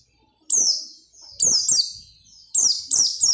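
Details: Oriental white-eye in full song, intended to stimulate other white-eyes: three phrases of piercing, high, falling twittery notes, each phrase a quick jumble of slurred chirps with short pauses between.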